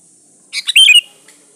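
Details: Sooty-headed bulbul in vigorous lure song: a single quick phrase of bubbly, slurred notes lasting about half a second, then silence.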